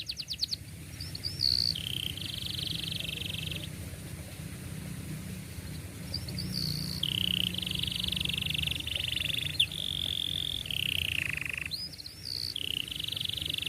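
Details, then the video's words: Young-canary training song in tight rolls: sustained whistled trills around mid-high pitch, held for a second or two, then shifting and changing, over steady broadband background hiss and low hum. "KENARI GACOR PANJANG cuit cuit Ngerol Rapat Paling Dicari Untuk Pancingan Kenari Paud Belajar Bunyi"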